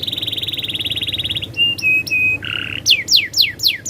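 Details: Canary rolling song: a fast high trill, then short flat whistled notes, a buzzy lower roll, and loud downslurred whistles repeated about every third of a second.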